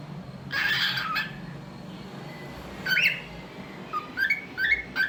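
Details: Pet cockatiel singing and making different sounds: one long raspy squawk, then a bright whistled upslur and short rising whistled chirps.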